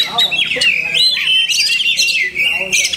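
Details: Kacer giving masteran, imitations of other birds: a long wavering whistled line with quick chirps and squeaks layered in, delivered rapidly and irregularly.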